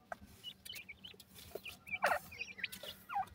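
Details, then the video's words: Grey francolin chicks calling to their mother over food; thin, high, falling peeps come in irregular bursts, with one louder bright cheep in the middle over a low background rumble. "pheasant partridge bird chicks calling mother with feed"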